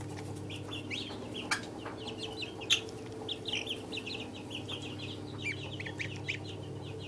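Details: Three-day-old Chinese goose chicks giving a steady chorus of high, short peeps, several overlapping, some wavering, over a constant low hum.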